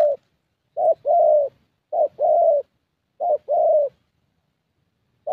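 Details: Decoy-session recording of a young 'thổ' Spotted Dove from Gia Lai, Vietnam: three clear, evenly spaced coo phrases, each a short lead note then a longer mellow one, with silence between.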